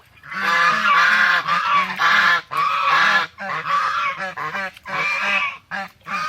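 A swan gives a steady series of loud, nasal, trumpeting honks in close bursts, some drawn out and some clipped. Nothing else is heard.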